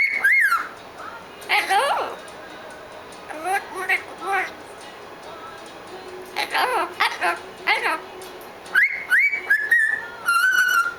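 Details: Young blue-fronted amazon parrot, about seven months old, kept as a pet indoors, giving morning chatter: bright rising whistles, nasal harmonic squawks and speech-like babble in bursts, separated by short quiet gaps, with a longer clear whistle at the end.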